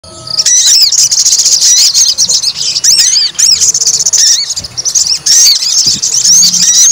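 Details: White-rumped shama singing while provoked to fight: rapid high chattering notes with sharp rising and falling whistled slurs, nearly continuous with brief pauses.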